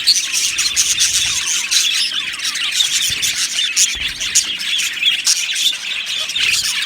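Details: Many aviary budgies chirp at once, making a thick, lively chorus of high squeaky warbles and short chirps that runs without a break.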